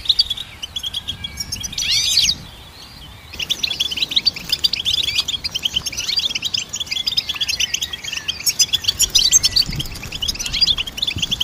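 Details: Goldfinch song used to train songbirds: a short burst of high chirps, a second of near silence, then a long, dense stream of fast, tinkling twitters and buzzy trills that continues to the end.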